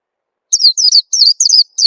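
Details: A short phrase of high, descending chirps from an Oriental white-eye, a lure call to prompt young birds to sing. About five quick notes follow a brief silence.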